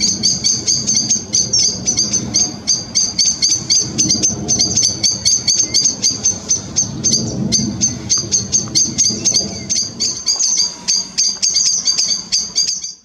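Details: By the River Chelt, a grey wagtail family keeps up a fast stream of sharp, high-pitched tsit calls for over twelve seconds, backed by a low river rush that fades near the end.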